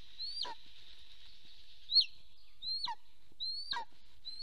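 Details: Golden eagle pair at a nest-camera site in Soomaa National Park, southwestern Estonia, 1 April 2024, mid-morning as the male returns home: high, thin yelps that rise then drop sharply, given four times at irregular intervals over near silence.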